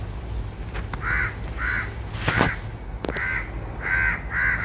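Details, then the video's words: Crows calling: a series of short harsh caws, about one each half second in pairs, over a steady background rumble with a couple of sharp knocks. "Why Crows Are Making Noise?"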